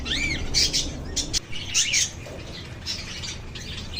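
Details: Lovebirds calling: loud shrill squawks and arching chirps in the first two seconds, then softer, scattered high twitters, over a low hum.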